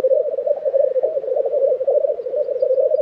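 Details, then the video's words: Lekking black grouse, Tiveden, Sweden, April 2023: a dense, low, dove-like bubbling that pulses continuously throughout, with a few tiny high ticks late on. "Black Grouse Lek - sound recording"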